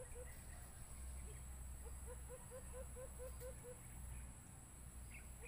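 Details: White-eared brown dove call from a Bluetooth speaker used in bird hunting: a fairly faint series of about eight short, low, hollow notes in quick succession over steady low rumble and hum.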